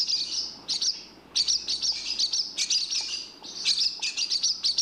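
A barn swallow chatters in quick bursts of high, scratchy twitters and chirps, several per second, with brief pauses between phrases; nothing else stands out.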